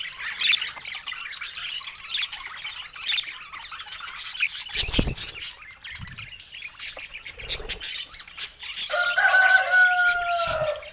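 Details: Several pet budgerigars chatter in a busy scratchy warble that thins midway, then a clear drawn-out whistled note with a lower tone enters near the end.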